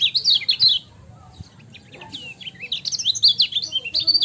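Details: High, rapid chirping song of a lemon-bellied white-eye used as a training recording: a short twittering burst, a pause of soft notes, then sweeping, jumbled whistled chirps building again.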